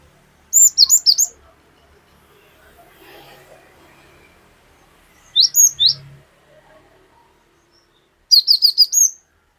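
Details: Cinereous tit (glatik batu) singing actively, a lure recording with long 'wucit wucit' phrases: three bursts of sharp, high whistled double notes, each about half a second long, separated by quiet gaps of several seconds.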